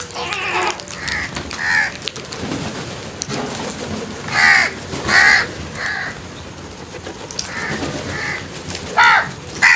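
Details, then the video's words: Crows calling: a series of harsh, hoarse caws, some single and some in quick pairs, come in bursts near the start, middle and end, over steady background hiss and low rumble. "Crows Sounds"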